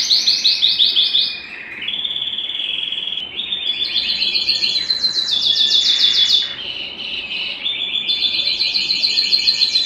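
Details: Belgian canary singing, meant to stimulate other singers and bring females into breeding condition: a long run of high rapid trills alternating with lower buzzy rolls, repeated in fast bursts with brief pauses.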